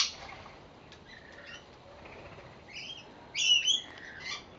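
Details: Rainbow lorikeets at seed on a home verandah in Victoria, Australia, giving faint chattering notes and then a short loud, grating screech pair after a quiet stretch.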